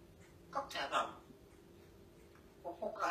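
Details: A pet parrot, chatting with its owner, gives two short, squeaky, nasal voice-like bursts about two seconds apart, with a quiet room behind it.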